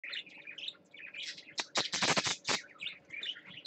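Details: Pet parakeet on swings, caged at a nesting setup, giving quick high chirps and warbled twitters, broken by a burst of loud sharp clicks and rattles midway, with a faint steady hum behind.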